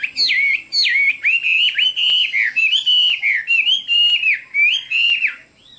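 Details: Continuous melodious song from a Chinese hwamei: rich, sweeping whistles that glide and bend with almost no pause, broken by occasional faint clicks.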